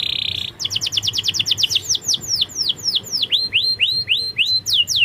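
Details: Canary song played as a lure to make a reluctant bird sing: a brief buzzy trill, then a fast series of sharp descending whistled notes, slowing into longer downward-curving sweeps repeated about every third of a second.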